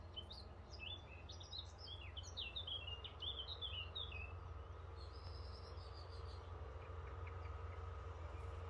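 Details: Bird singing outdoors in Norway: a quick run of high, sharp chirps and twittering notes fills the first four seconds, then a thinner, higher trill follows, all over a steady low droning hum.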